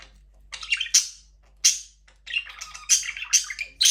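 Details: Budgerigars in an aviary where the first chick has hatched: loud shrill squawks separated by short pauses, mixed with buzzy warbled chatter that turns busier toward the end.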